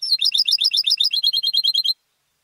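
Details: European goldfinch, home-reared contest singer, pouring out a rapid, even sequence of high tinkling, ringing twitters for about two seconds before stopping.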